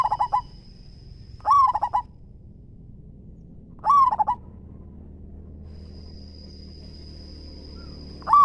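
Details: Zebra dove, a gacor local perkutut, repeats short phrases of a rising note and quick clipped coos about every two and a half seconds, with quiet gaps and a faint high whine.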